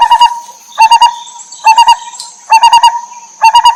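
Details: Lineated barbet from the Terai, wild, with chicks being fed by the mother. Five bursts of four or five throaty pulsed hoots arrive about every 0.9 seconds, a steady high whine beneath and a brief higher chirp.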